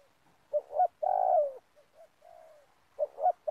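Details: In an oil palm plantation where spotted doves are lured for trapping, a dove gives a mellow two-note coo ending in a long falling note. Softer faint coos follow, then another phrase begins.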